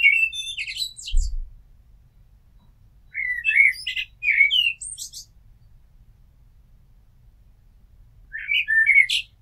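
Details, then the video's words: Turdus merula song phrases separated by long pauses of several seconds: rich whistled motifs finishing in thin squeaky twitters, with a brief low thump early on. "Amsel Gesang - Merle Noir Chant - Blackbird Song - Mirlo Cantando"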